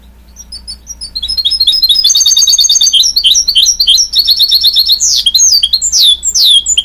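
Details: Goldfinch mule hybrid of goldfinch and canary, opening with a few scattered chirps, then bursting into loud, rapid warbling and ending with sweeping, ringing whistles that slide downward.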